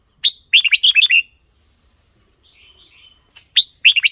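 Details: Caged-bird excitement or decoy track of red-whiskered bulbul: a fast run of bright whistled notes, a pause with a soft warbling trill, then another crisp burst of whistles.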